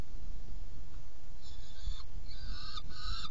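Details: Harsh, grating calls of a saker falcon at a nest box while being fed, 17 June 2018 at 10:31; three drawn-out rasping notes in the last two seconds against a droning low hum.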